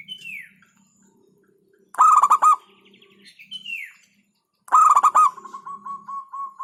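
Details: Local zebra dove in 'hentakan' style: two bursts of stamping, pulsed coos. The second trails into a long series of evenly spaced soft notes. Falling whistles and a low hum sit in the background.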